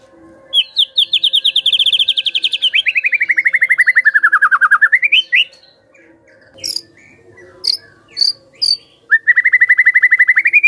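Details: Shama lure song to make other birds start singing: a long buzzing trill of very rapid pulses dropping gradually then swooping up, a few sharp clicks and scattered short notes, then another rapid trill, over a faint low hum.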